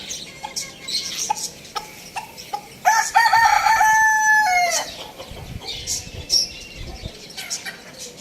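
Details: A rooster crows loudly once: a few short rising notes, then a long, level, harmonic-rich note that drops sharply at the end, lasting about two seconds. Small birds chirp high and sharp throughout.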